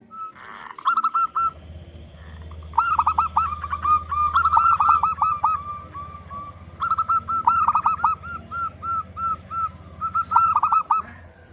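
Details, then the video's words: Local zebra dove, loud and big-voiced, used as a lure to get other doves calling quickly: bursts of fast staccato cooing notes with brief pauses between phrases, over a low steady background hum. "Perkutut Lokal Gacor Suara Besar Pancingan Burung Perkutut Agar Cepat Bunyi"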